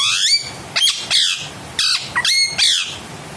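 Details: Pet parrot imitating human speech, saying a word and its own name: a run of harsh, squawky, buzzy syllables with bright overtones, broken by short gaps, and an upward-swept glide near the start.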